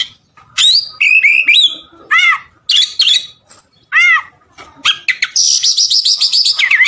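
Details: Oriental magpie-robin (kacer) singing hard, a song offered as filler for tutoring other birds: arched whistled notes, stuttering chatter, then a long run of high rapid repeated notes ending in a downslurred whistle.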